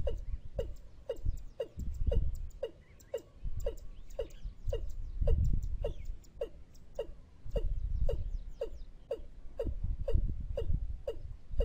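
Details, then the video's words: Watercock lure call for trapping: steady run of brief, knocking notes spaced roughly half a second apart for over ten seconds, over a dull low-pitched rumble. "ต่อนกอีลุ้มหมานๆ ชุดต่อเสียงหมานขึ้นเร็ว"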